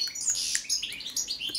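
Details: ['A brief burst of goldfinch song, Carduelis carduelis balcanica: tightly packed, bright twittering and slurred chirps.']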